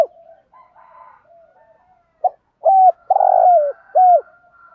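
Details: Spotted dove used as a decoy to draw in wild doves, cooing in the thúc gù style: faint soft murmurs, then a clipped note and a run of loud, hollow coos, the longest sliding downward.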